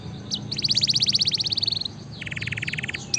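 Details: Canary singing energetically for training and stimulating lazy birds: a short chip, then a rapid rolling trill of pulsed notes, a pause, and a second lower, even trill, with faint hum beneath.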